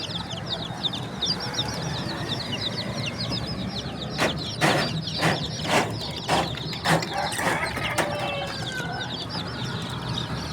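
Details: Flock of baby chickens giving thin, rapid peeps, interrupted midway by a series of sharp knocking thuds, then chirping continues softer.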